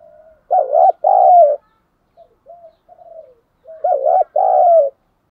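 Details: Spotted dove kept as a caged decoy, calling to lure wild doves, in the thổ sấm voice style: two paired phrases of mellow, wavering coos, each a quick double note followed by a longer hooting note, with soft short coos between.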